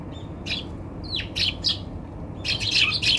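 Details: Eurasian Tree Sparrows on a balcony, being attacked by a Brown-eared Bulbul, give quick, bright chirps in short bursts, several per second, with a brief descending note among them over a faint low hum; December 30, 2020.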